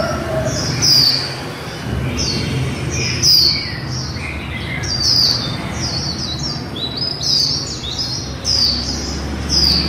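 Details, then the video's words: Female white-eye líu song, used to excite white-eyes: high, downward-slurred chips repeated roughly every second or two across the whole stretch, over constant low background noise. "Khuyên mái líu đẳng cấp THẾ GIỚI"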